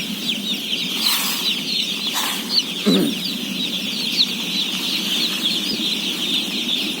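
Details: Roughly 17,000 day-old chicks at feeding peep in a dense, high-pitched chorus, with a couple of sharp knocks and a short low thump partway through, over a steady hum.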